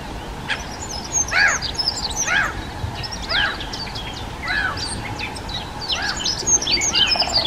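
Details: Dunnock in the Czech Republic, a shy songbird of dense undergrowth, singing: quick jumbled high warbling phrases of thin twittering notes, bursts roughly every second, over a steady low hum.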